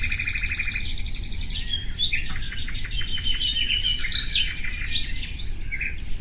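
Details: Common nightingale singing a long rattling trill, then a mix of rapid repeated notes, whistles and chirps in short phrases; steady low background noise.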